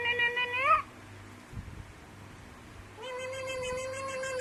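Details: Alexandrine parakeet mimicking a cat: a short rising meow-like call, a pause with faint clicks, then a steady nasal meow note. Low background hum throughout.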